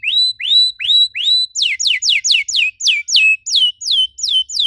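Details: Canary song played to prompt other canaries into singing: a series of rising hooked whistles about every third of a second, switching to faster loud downward-sweeping notes, clear and dominant with no other sounds.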